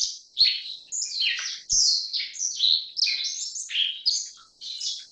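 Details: Black-faced bunting (Emberiza spodocephala) gives a busy run of thin, high chirps and short downslurred buzzy notes. The notes come in quick successive bursts with brief dips between them. The background is quiet apart from faint knocks.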